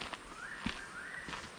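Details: Spotted catbirds call back and forth at midday in hot, humid rainforest at Mossman Gorge: a drawn-out, nasal, wavering wail rising and falling over about a second, with a single footstep thudding partway through.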